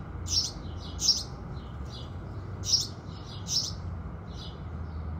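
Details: Early-morning house sparrows at sunrise: a few loud sharp chirps in the first half, then softer scattered cheeps, over a persistent low rumble.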